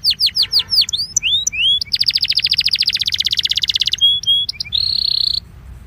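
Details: Warm-up incarte of a Belgian canary. Repeated downward-curving whistles and rising slurs give way to a long rapid rattling trill, then short whistled notes and a buzzy sustained phrase.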